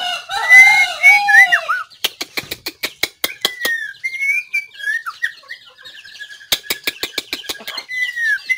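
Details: White-rumped shama on 17 April 2024. A burst of layered whistled notes gives way to a long train of dry clicks mixed with soft sliding whistles, then more clicks and a final whistle.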